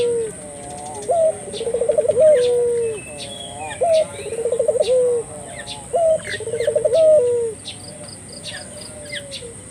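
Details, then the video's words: Turtle dove giving lure coos for local doves, three full phrases each of a short rising note, vibrating rolled coo and held closing tone, spaced about two seconds apart, with light chirps of small birds and faint insect hum. "suara burung puter gacor,merangsang buru puter lokal ikut gacor"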